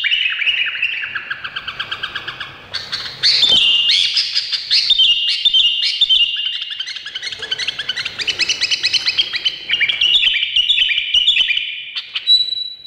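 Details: Indonesian bulbul giving a long, varied song: rich whistled phrases rising and falling, rapid stuttering notes, and one sharp burst near the middle, ending on a sustained high whistle.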